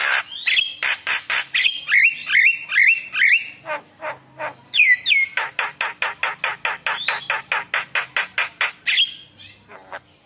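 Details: Energetic Javan myna song, used as a lure to get other mynas singing: loud chips and repeated upslurred whistles early on, then a long, even train of sharp clicking notes, about two per second, ending in a harsh burst.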